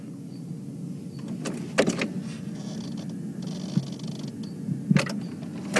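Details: Electric car windows whir up and down over a low engine rumble, with a few sharp knocks and thumps from the vehicle and no animal sound.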